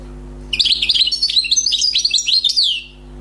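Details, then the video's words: Newly trapped wild European goldfinch singing cleanly: a quick, unbroken stream of high, sparkling twitters and trilled phrases for over two seconds, closing with a falling note, with no other sounds. "غناء حسون بري صيد جديد"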